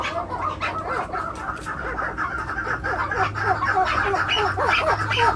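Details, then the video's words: A 7-month-old male chukar partridge chick, farm-kept, gives rapid repeated clucking chuk notes, several per second, rising and falling in pitch over a steady low hum. "Nar Bacha 7 Mah #chakorkiawaz"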